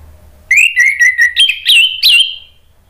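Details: Orange-headed thrush song used as a lure to prompt other thrushes to answer and sing: a whistled phrase of about eight clear notes, first level, then rising slightly and quavering, lasting under two seconds over near silence.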